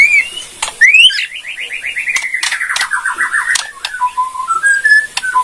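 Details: Borneo white-rumped shama performing a rattling kretekan song meant to provoke other shamas into answering: a rising whistle, then a fast descending series of slurred notes, then low steady whistles, with sharp clicks throughout.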